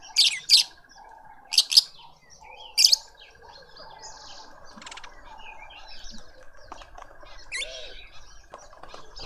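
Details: Lovebirds in a suburban Pretoria garden in South Africa, with adults feeding a juvenile. Three loud, piercing double chirps open the recording, followed by softer scattered high notes over a steady faint tonal hum.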